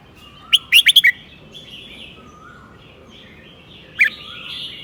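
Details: Red-whiskered bulbul teacher bird with a well-placed southern-style 'mae bot tai' phrase: a fast chattering run of four or five sweet whistled notes, a quiet pause with soft warbles, then a single sharp note.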